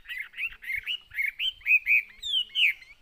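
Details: Chinese hwamei in a cage singing a short run of rich, curving whistles, about one every quarter second, with light tapping sounds underneath.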